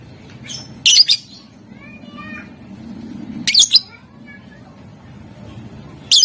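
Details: Lovebird calling to provoke rival birds to answer, three harsh high squawk bursts spaced a few seconds apart, with faint thin whistled notes between them over a low background hum.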